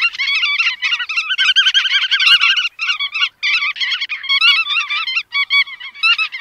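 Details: Busy bar-tailed godwit chorus: many nasal, wavering calls overlap almost continuously, with two brief lulls.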